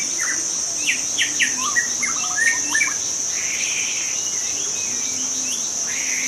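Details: Wild forest white-rumped shama singing short whistled phrases and a quick stuttered series of notes amid a loud, steady high insect chorus.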